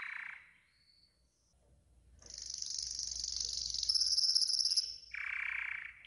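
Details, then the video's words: Yellow golden canary training song: a brief lower buzzy note, a pause, then a long, bright, hissing high trill and a lower rolling tour to finish, with faint low rumble beneath. "Yellow GOLDEN Canary 12h Training Song"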